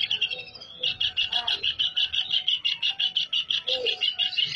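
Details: Greater green leafbird in full, lively song with canary-style fill notes: a fast, even run of bright chirping notes repeated about three times a second, with a few lower notes underneath.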